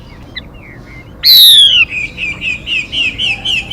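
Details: Female Mi bird lure call: a few soft notes, then one strong descending whistle followed by a regular series of quick rising chirps.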